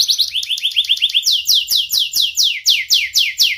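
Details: Young canary in strong singing form, with a sharp-voiced song used as a tutor to lure and teach young or lazy canaries to sing. It opens with rapid sweeping chirps, then a run of loud, high, down-slurred whistled notes repeated about twice a second.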